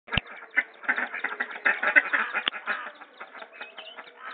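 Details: Muscovy duck: a dense, busy chatter of many short, harsh calls overlapping at a fast irregular pace, with one sharp click near the start.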